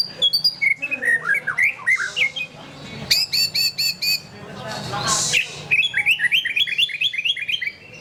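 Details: White-rumped shama singing a varied series of whistled notes: descending slurred phrases, then a burst of rapid high trills, then fast repeated rising chirps, with short pauses between bursts.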